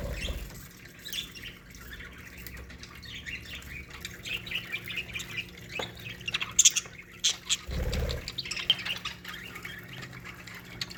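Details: Several budgerigars kept as a colony in an aviary give a steady background of soft twittering and warbled chirps, broken by a few sharper squeaks and one low thud.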